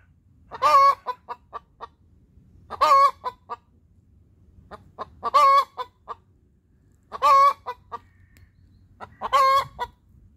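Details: Hen's laying song following an egg: five loud nasal cackles at steady intervals of roughly two seconds, each followed by a short run of three or four clucks.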